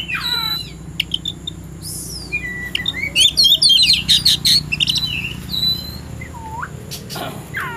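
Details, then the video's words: Oriental magpie-robin in the afternoon, ready to fight a rival, pours out a dense, quick-fire song of varied chirps and whistles, with rising slurs and downswept notes at either end, over a low background hum. "KACER SIAP TARUNG CARI LAWAN..!!!"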